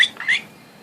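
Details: A pet Quaker (monk) parakeet, angry at its least favourite toy, a squeaking pink elephant it wants to fight, gives a few quick, harsh, scratchy squawks in rapid succession.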